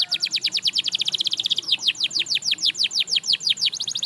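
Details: A canary sings to inspire others to sing again, a rapid series of sharp downward-sweeping notes, about three per second, rolling on steadily through the phrase.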